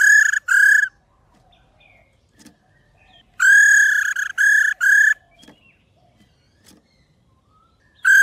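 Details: Calling female white-browed laughingthrush, used to prompt males to sing; loud rich notes in short bursts, two together, a gap with faint clicks, a cluster of three, then another burst at the end.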